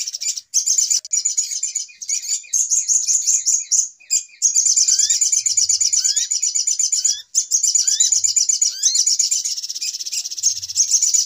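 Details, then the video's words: Little spiderhunter (sogok ontong) lure recording, a noisy 'pikat ribut' style used to attract birds for trapping: dense, rapid, high chattering trills running almost continuously, with short rising whistled upslurs repeating in the second half and brief pauses. "Suara Pikat Ribut Burung Sogok Ontong Paling Mujarab"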